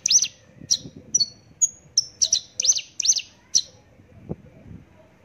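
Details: Rapid run of bright, high-pitched chirping notes from a Javan bush lark, about two per second, mixing downslurs and short flat whistles before stopping, with a brief low thump afterwards.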